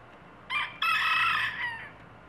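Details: Rooster crowing: a brief harsh opening note, then a loud, harmonic, sustained crow of about a second that tails off, over a quiet steady low hum.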